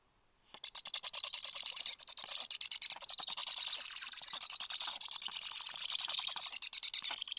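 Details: Black stork nestlings being fed on an evening of 30 July, the day's eighth feed, start a rapid, pulsing rasp after a moment of quiet and sustain it, growing slightly louder.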